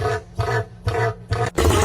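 A cassowary gives deep, throaty rumbling booms, four short pulses about half a second apart, each low and growling with a rough edge.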